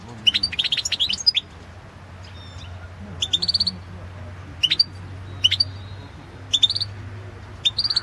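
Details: European goldfinch singing in a world goldfinch song championship competition recording: bursts of bright, high twittering notes and liquid trills separated by short pauses, with a low steady hum underneath.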